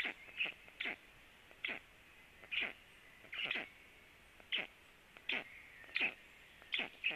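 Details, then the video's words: Black stork at its nest at 10:49, two birds in view as one lands; sharp, rasping chip notes with a falling sweep, given singly or in pairs roughly every half second to second over a faint steady hiss. "two Black Storks visible a stork lands at nest"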